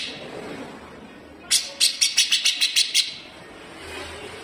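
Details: Grey-cheeked bulbul kept as a cage bird delivering coarse, full-speed besetan for leafbirds to imitate: after a quiet pause, one tight volley of about eight evenly spaced buzzy rasps lasting a second and a half.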